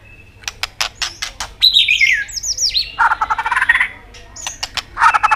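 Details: Energetic white-rumped shama song, with continuous clicking, used to goad subdued birds. Sharp clicks are mixed with rapid downslurred whistles and two dense, buzzy rattles, one in the middle and one at the end.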